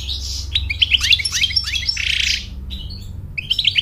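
An American goldfinch sings a rapid, twittering run of high sweet notes and buzzy slurs, with a faint low hum underneath.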